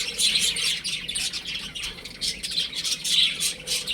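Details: Baby chickens at home, lively and playing, trading quick piping chirps in rhythmic clusters about every half second.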